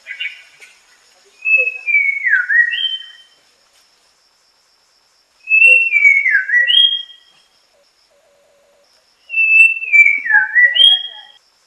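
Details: White-rumped shama singing: a clear whistled phrase of sliding notes that steps down and then jumps up to a high end note, repeated three times with about four seconds of quiet between phrases.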